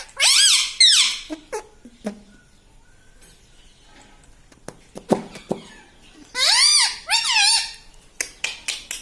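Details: Pet parrot indoors imitating words like "mitthu" and "mummy": a squeaky two-part phrase at the start, scattered clicks and taps through a quiet middle, then two more wavering nasal phrases near the end.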